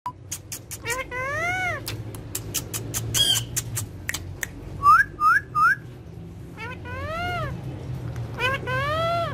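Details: Friendly pet speaking parrot indoors giving upslurred whistles in bursts, three quick rising notes mid-clip, with harmonic-rich, voice-like wavering calls at start and end over a low steady hum and scattered clicks.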